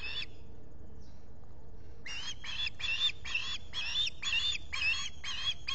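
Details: Osprey calls at the Salt Point nest, Finger Lakes, USA, morning of 23 July 2021, when a visitor came by. One chirp, a quiet gap, then a regular series of eight piercing, whistled cheeps about every half second.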